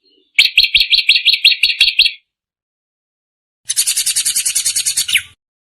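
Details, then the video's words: Drongo song: a quick run of about ten clear chattering notes, a pause, then a harsher, buzzy rattling phrase of fast, rough pulses. "kicau burung srigunting"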